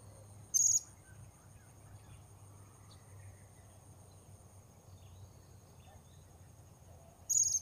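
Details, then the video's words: Blue-crowned hanging parrot recorded while luring wild birds at a new location: two sharp, shrill high bursts about seven seconds apart, faint distant chirps and a low hum between them. "Memikat Serindit Di Port Baru"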